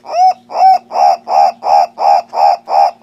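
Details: Tauraco persa, the green turaco of Africa, giving loud guttural croaking calls in steady rhythm, roughly three per second, the first two arched and clearer, the rest harsher and broader, over a faint constant hum.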